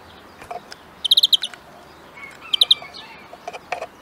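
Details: Two quick greenfinch trills of five or six sharp ringing notes, separated by a pause, followed by a few isolated soft chips in quiet surroundings.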